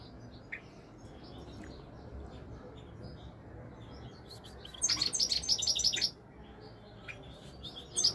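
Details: European goldfinch singing, recorded in 2021: scattered soft high chirps, then a loud, fast, glittering twitter lasting about a second, followed by quieter notes and a final bright burst.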